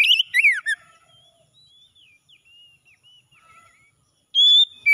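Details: Oriental magpie-robin morning song for stressed, silent birds: a burst of fast twisting whistles opens, followed by soft distant whistled notes, then a loud sustained whistle near the end.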